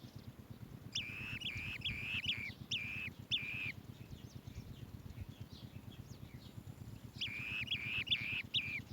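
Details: Baby Asian green bee-eater in the nest cave, calling in two runs of sharp, downslurred chirps, about five notes each, separated by a quieter stretch, above a constant low rumbling background.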